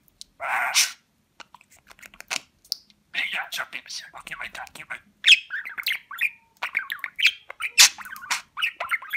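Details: Talking pet budgerigar, Rize, 2020, on a recording meant to teach phrases such as "Babacık Babacık Aşkım"; raspy, speech-like murmured syllables mixed with squawks and brief chirps, coming in uneven bursts.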